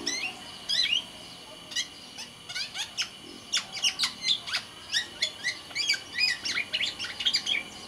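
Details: Sumbawa black-naped oriole, a kept songbird, singing continuously: a fast, dense string of sharp high chips and short slurred whistles, delivered in quick rhythmic bursts with hardly a pause.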